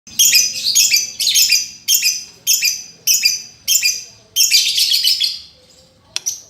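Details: Lovebird song used as a master recording to coax a lovebird that has stopped singing: rapid bursts of harsh, high squeaky chatter, about seven runs separated by brief pauses, the last run longest, ending with a sharp click.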